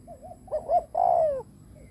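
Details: Spotted dove kept as a decoy, cooing to lure other doves: a soft wavering note, two quick clipped hoots, then one long, full coo that slides gently downward.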